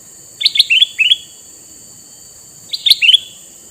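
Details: Two bubbly phrases from a male sooty-headed bulbul with red eyes, kept to lure wild bulbuls: the first five quick notes, the second a shorter repeat about two seconds later, over steady hiss.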